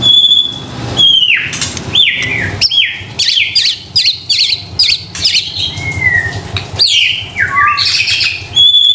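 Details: White-rumped shama lure song for stressed or silent kept birds: high whistle, then repeated downward-swooping notes more than once per second, with sharp high upslurs and a thin closing whistle.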